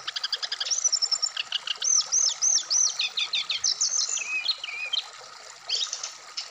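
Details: Brown-chested jungle flycatcher out in the morning dew, opening with fast clicking trills, then a run of repeated arched whistles about two per second, then warbled twists and a final trill, over a low hum.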